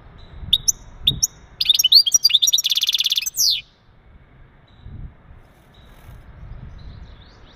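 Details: A male European goldfinch's mating calls to prime a female for breeding: a few isolated chips, then a lively rapid twittering phrase merging into a long buzzy trill and a falling slur, followed by near silence.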